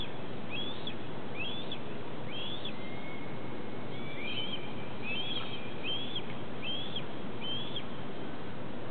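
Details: Two young red-tailed hawks on plant science stacks at Cornell, crying at an adult at 8:05 pm on 30 July 2013: thin, high, wheezy cries almost every second, with a longer drawn-out whistle partway through, over a steady low rumble.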